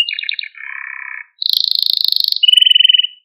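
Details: Canary song for training and exciting canaries: choppy quick notes give way to a steady mid-pitched trill, then a very high rapid rattle and a closing pulsed trill, with no other sounds.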